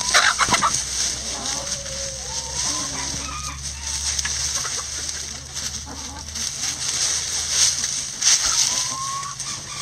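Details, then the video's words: Chickens in a backyard coop scratching a leaf pile: repeated soft clucks and several short rising whistled notes, plus crunching leaves, a couple of sharp rustles at the start, and constant high background hiss. "Chickens Scratching Leaves"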